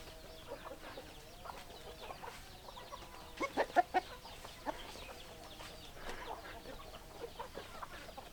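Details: Chickens clucking quietly, with low steady clucks and a brief cluster of louder, sharper notes around the middle, over a faint background hum.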